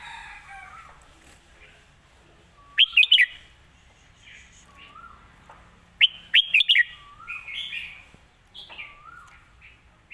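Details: Red-whiskered bulbul, a rising-star bird said to have good phrasing and a light voice, gives two lively phrases of quick ringing chirps about three seconds apart, separated by short low upslurred whistles repeated several times.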